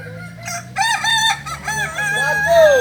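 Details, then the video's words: Kokok Balenggek rooster crowing at a practice meet in Ampang Kualo, Kota Solok: a chain of rapid, rising-then-falling crow syllables ending in a long downward-sliding note, other roosters crowing behind. "ayam kukuak balenggek"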